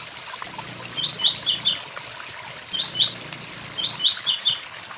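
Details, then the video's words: Blue-black grassquit delivering the "tui tui zel zel" song in three quick phrases of short upslurred notes and a busy ending. Tiny high-pitched ticks lead into each phrase over an unbroken waterfall rush and a soft low hum. "Tiziu tui tui zel zel com som de cachoeira"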